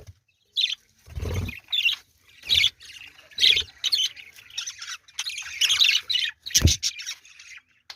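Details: A colony of budgerigars at their nests chatters in busy, scratchy warbles and chirps, with a few dull knocks.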